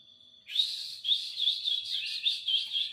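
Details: Canary singing: after a brief steady whistle, a lively run of warbled, twittering phrases with quick rolling trills and bright chirps, continuous and high-pitched.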